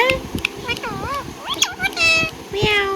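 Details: Indian ringneck parrot chattering with bending, looping chirps and a couple of sharp ticks, partly over low rumbling background noise, ending in a harsher buzzy note.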